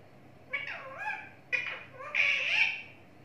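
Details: Pet parrot talking in three voice-like phrases, each with bending harmonic tones that dip and rise, the last longest and loudest, over low room hum.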